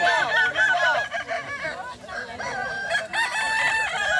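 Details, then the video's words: Final round of a Kukuak Balenggek rooster crowing competition, boko class, at a dairy farm in Solok regency. Several cocks deliver rapid, repeated stepped crow syllables that overlap continuously over faint background chatter. "Final lomba ayam kukuak balenggek kls boko"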